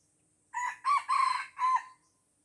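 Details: Four-syllable crow from a red junglefowl in Aceh, Indonesia, surrounded by young birds yet declining to fight; the notes are loud and raspy, the third drawn out, the last short and falling, with little other sound.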